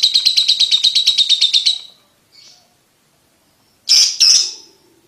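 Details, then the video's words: Lovebird giving a brief rapid trill of high pulsed notes, then silence, then two loud harsh squawks. The recording is used to train young lovebirds to trill quickly. "Lovebird Ngetik Ngetik Untuk Pacingan Paud Cepat Ngekek"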